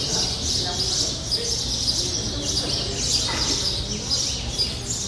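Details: Noisy birds chattering together, a busy chorus of high, rapid chirps and short repeated tweets layered over constant hiss and low background rumble.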